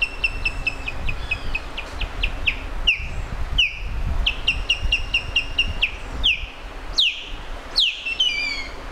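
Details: Osprey calls: quick bursts of short whistled chirps alternating with louder, drawn-out downward-slurred whistles, the notes clear and high over faint low background hum.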